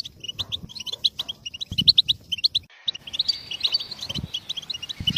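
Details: Goldfinch song: rapid, bright twittering of short high chirps and liquid trills, a brief pause near the middle, then denser tinkling phrases with a drawn-out whistled note; faint low thumps underneath.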